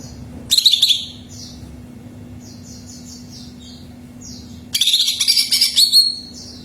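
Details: Greater green leafbird song meant to provoke another bird to sing: a short loud chirping burst, soft high twitters, then a longer loud run of rapid, varied chirps and trills over a low hum.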